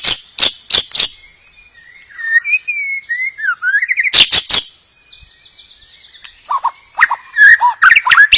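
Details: White-rumped shama singing to coax other shamas into song: loud snapping clicks frame soft sliding whistles and warbles, then a closing run of quick, varied notes.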